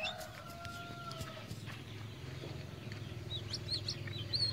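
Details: A tame, freely singing Oriental magpie-robin gives short, sharp whistled notes that grow brighter toward the end, over a steady low hum and faint background murmur.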